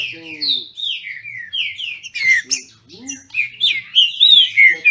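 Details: Two-sided singing contest of captive-bred Green-winged Saltators in Brazil: quick series of downslurred whistles, a harsher burst in the middle, then a fast run of loud, sweet slurred notes.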